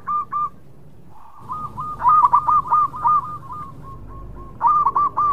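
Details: Zebra dove, local bird, singing actively: one long rapid phrase of mellow hooked coos that fades, followed by the start of another loud run.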